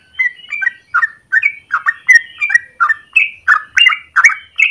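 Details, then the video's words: A yellow-vented bulbul in the morning pours out its long rolling song, used to lure or train other birds: lively, chuckling whistled notes repeated about two or three per second, some slurred upward, others bubbling downward. "Trucukan gacor ropel panjang pagi hari"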